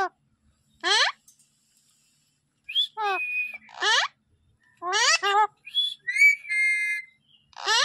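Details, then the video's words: An Alexandrine parakeet, also called Raw, Pahadi or Desi parrot, talks 'mitthu mithu' in short, harsh, speech-like phrases mixed with clear rising whistles, in bursts every one to two seconds, with a person's voice nearby. "Alexander parrot talking mitthu mithu sound"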